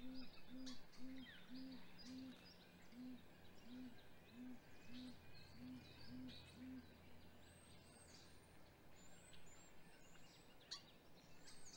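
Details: Great grey owls at a nest during hatch week, wild, filmed 7:26 am on 27 April 2020 by a live nest camera, the male delivering prey to the female with vocalizing between them; a run of about eleven soft, low, evenly spaced hoots, then faint high chirps of other birds.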